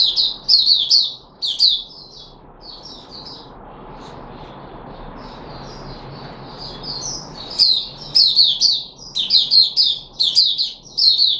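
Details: Caged red-whiskered bulbul, called Puteh Raja, during a feeding experiment with fruit juice, one mealworm and a health supplement, 13 April 2021: bright warbled phrases open and close the recording, with a quieter stretch of soft notes in between.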